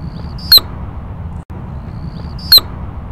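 Anna's Hummingbird: two sharp, very high, loud chirps about two seconds apart, each made by the tail feathers as a male dives, over a soft low hum.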